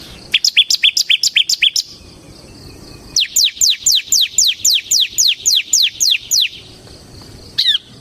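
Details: Bar-winged prinia, semi type, in full lively song used to lure and train other birds: fast bursts of high, sharp descending notes, about four per second, then a pause and a longer run of sweeping whistles.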